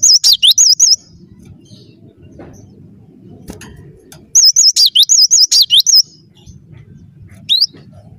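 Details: Cinereous tit (gelatik batu) in gacor song: a short series of wavy high whistles, several seconds of quiet low hum, then a longer rapid phrase of looping notes and a single rising note to finish.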